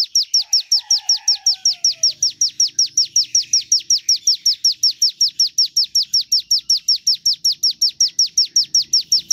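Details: A Javan tesia sings actively, the song played to draw out other birds. It gives a long, metronomic run of shrill, falling chips at about five per second, while a soft, low, drawn-out whistle slides down early on.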